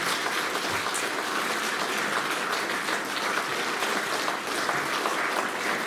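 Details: Sustained applause from an audience, dense clapping throughout with no animal sounds.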